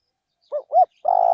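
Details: Decoy spotted dove in a rice field. Two short, rounded hoots, then the start of a long, steady coo that cuts off abruptly.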